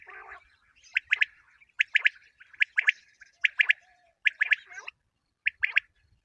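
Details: Common quail calling, a recording for quail hunting in the morning: sharp triple-pulsed notes in tight groups, repeated roughly every three-quarters of a second, with a brief softer chatter at the start.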